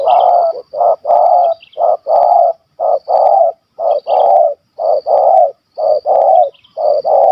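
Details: Loud, close spotted dove with a big stuttering kuk 1 2 call, hunted in Malaysia: a rapid run of repeated coo phrases, short notes and longer coos about one each second, strong and slightly harsh.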